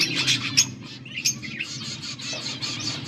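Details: Budgerigars chirping, recorded August 14, 2024: busy high chatter with scattered sharp chirps over a low steady hum, calls overlapping irregularly.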